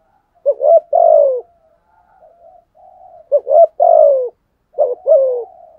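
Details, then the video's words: Decoy spotted dove cooing to provoke other doves. Three husky phrases, each a stuttered pair of short notes and a longer downward-sliding coo, separated by quiet murmuring pauses. "chim cu mồi thúc gù bài bản nhất hiện nay, chim cu gáy kích bổi hiệu quả nhất hiện nay"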